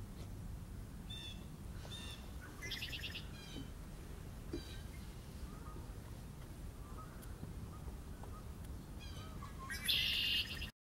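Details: A Red-winged blackbird calling on 5 March 2016 gives short, harsh, buzzy bursts of chatter every second or so, the loudest near the end, over a steady low rumble of wind or distant traffic.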